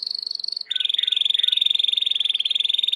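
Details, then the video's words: Timbrado canary singing for training: a continuous rapid pulsing roll, briefly high then dropping slightly and holding steady, with a faint lower warble under it. "Chant de Canari timbrado / the wonderful sounds of canary bird chirping / canario timbrado cantando"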